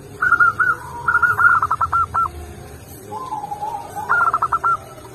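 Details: Local zebra dove (perkutut) singing strongly: rapid trains of clipped cooing notes, a lower drawn-out coo from another dove, then a fresh run of quick coos, over steady low background hum.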